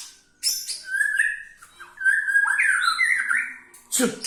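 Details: White-rumped shama from Indonesia singing a full, filled-in song: varied sliding whistles and warbled phrases at mid pitch with higher chirps overhead, ending in a harsh, noisy burst.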